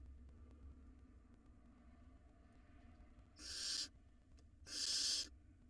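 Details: Two wild barn owl nestlings in a nest box swallowing rodents; quiet at first, then two loud rasping hisses about a second apart, each around half a second long.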